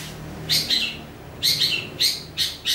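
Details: Greater green leafbird uttering three short, harsh, scratchy high notes about half a second apart, each a quick double burst, over a low steady background hum.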